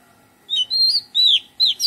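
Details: Melodious song of an Oriental magpie-robin in a garden. Three clear, sweet whistled notes, the first dipping, the second swelling and then falling, and the last starting a fresh phrase, all loud against near silence.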